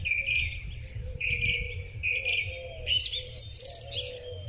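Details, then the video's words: Springtime song thrush captured on a Huawei P30 Pro phone: a whistled phrase sung three times in a row, then a burst of high twittering notes, above low wavering tones and a quiet rumble. "Drozd Śpiewak. Wiosenny koncert ptaków."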